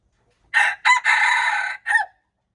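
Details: A junglefowl crow recorded March 19, 2025: two short rasping notes lead into a long sustained harsh phrase, ending with a brief detached note, set against complete quiet.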